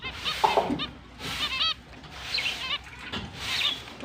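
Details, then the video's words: Chirping finches at the start of the breeding season, October 29, 2023: clusters of rapid, bright, nasal chirps with rich harmonics come in bursts about once a second, over a soft background hiss. "Finch is breeding start Mating Season, Happy chirping sound"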